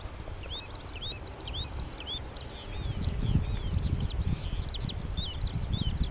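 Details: A male Oriental Skylark (Alauda gulgula) singing from a perch at Petchaburi, Thailand: a fast, unbroken stream of high, varied chirps and slurred twitters over a low rumble of wind.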